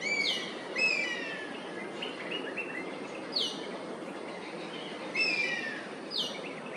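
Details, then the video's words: Perched Oriental honey buzzard in Singapore, calling repeatedly at a flock of Oriental pied hornbills invading its roosting place. Clear, downward-sliding whistles repeat roughly every one to two seconds over constant low background noise. "Bird Call: ORIENTAL HONEY BUZZARD"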